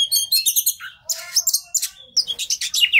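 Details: Oriental magpie-robin song meant to provoke a stressed bird into singing: rapid high twittering phrases, scratchy bursts and sharp whistled notes delivered in quick groups.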